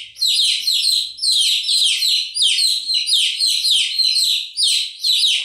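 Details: An unbroken stream of chick chirps: piercing, downward-sweeping peeps overlap in fast, slightly irregular succession throughout.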